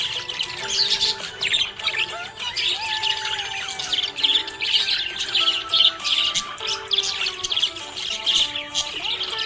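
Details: Budgerigar described as happy, chirping steadily: dense, scratchy warbling chatter with quick chirps and clicks running throughout, over sustained melodic background music tones.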